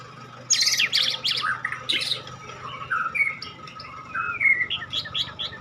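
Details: Medan-type white-rumped shama singing a varied song. Bursts of high, scratchy, chattering notes mix with clear whistled slurs and a few rising whistles, and loud phrases alternate with quieter gaps over a faint low hum.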